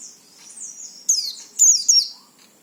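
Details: Song of an oriental white-eye, meant to prompt other white-eyes into singing: a thin high warble followed by two or three loud, quick, descending slurred twitters.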